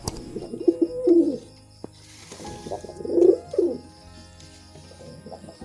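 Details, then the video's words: Pigeon cooing while mating: two rolling, throaty coo phrases separated by a quiet gap, with a faint steady hum underneath. "Pigeon Sound Effect || Pigeon Mating"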